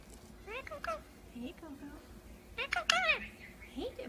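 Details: Pet Indian ringneck parakeet indoors, talking, laughing, making kissing noises and whistling, with an umbrella cockatoo in the background: short scratchy speech-like syllables and squeaky upward-bending notes in quick clusters, separated by brief pauses.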